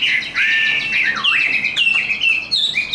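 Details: Chinese hwamei, a tame hand-raised bird, singing its fighting song: clear sustained whistles bending up and down, linked into flowing phrases with quick dips and rising flicks.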